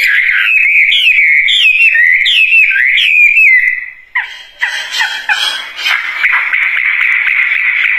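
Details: Wambie bird singing vigorously: a run of wavering, looping whistles repeated about three times a second, then a brief pause, then harsher chattering notes before a steady sustained whistle.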